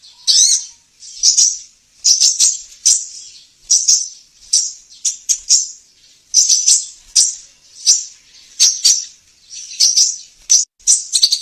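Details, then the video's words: Sunbird (sogon) lure song meant to draw wild birds and prompt caged birds to sing. High, thin chattering bursts repeat roughly every half second to second, with a brief low steady tone at the start. "suara pancingan burung sogon"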